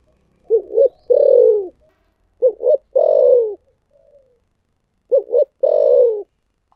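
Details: Spotted dove cooing in the thổ sấm voice style: three phrases, each two short rounded hoots and then a long, low, slightly falling coo, with a faint soft trailing note after the second phrase. No other sounds.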